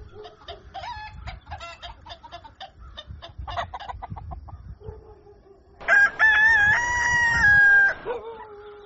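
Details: Rooster at dawn, preceded by a long run of rapid soft clucking and chatter, then a loud two-second crow with a wavering, slightly falling tone and a brief low tail.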